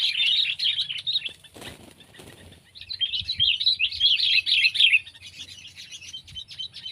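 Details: Sooty-headed bulbul, pet or wild: fast, busy twittering in two stretches, broken by a rustling, flapping noise, with quieter scattered chirps at the end.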